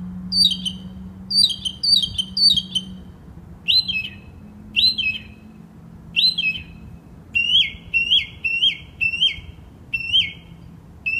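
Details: Northern mockingbird with a wide repertoire singing through the night in West Brighton, recorded by a resident who couldn't sleep; varied high chirped phrases, each type repeated several times in quick runs before switching, over a steady low hum.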